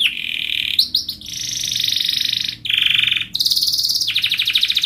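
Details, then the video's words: Canary training song for young canaries learning to sing: long sustained buzzy trills around high pitch, shifting abruptly between several rolled tours, with brief chirps linking sections, loud and continuous. "KENARI GACOR PANJANG Rol Rapat EMOSI Cuit cuit Ngerol AMPUH utk Pancingan kenari paud belajar bunyi"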